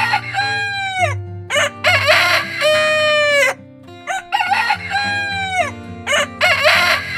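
A rooster gives two full cock-a-doodle-doo crows, each about two and a half seconds: harsh and strained, rising then holding and dropping, over a steady low background hum.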